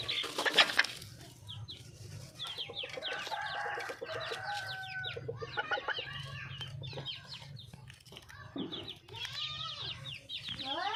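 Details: Wild junglefowl hen calling to attract a male: a loud burst, then a run of fast, stuttering clucks and drawn, wavering notes. Many small birds chirp shrilly and steadily throughout.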